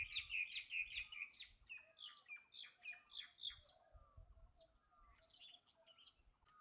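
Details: Bulbul song of quick, bright slurred chirps in a fast run that fades after a few seconds into softer scattered notes and a low whistle, with faint low thumps.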